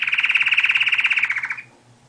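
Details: Canary song fragment: one rapid, even, buzzy trill of about twenty pulses held for a second and a half, then it breaks off, leaving a faint low hum.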